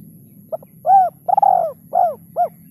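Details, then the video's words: Spotted dove giving a lure call with the rare 'kuk 3' ending: a short phrase of mellow, arched coos, a brief opening note followed by longer rounded ones, over a faint low background hum. "SUARA PIKAT BURUNG TEKUKUR KUK 2 DAN KUK 3 //SUARA TEKUKUR KUK 3"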